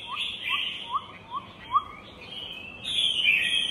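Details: Chinese hwamei warbling steadily, with a lower, short rising note repeated about every half second, five times. After that, louder, higher whistled phrases fill the end.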